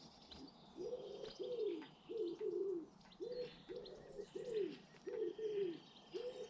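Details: British garden birds: a dove or pigeon coos steadily in low, soft, evenly spaced notes, about twenty phrases a minute, with thin chirps and twitters of small birds behind.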